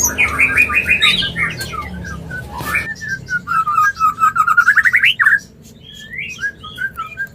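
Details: White-rumped shama mating sound used to bring birds into breeding condition: clear whistled notes, then a fast rising trill of repeated notes with a few sharp clicks, ending in separate slurred whistles.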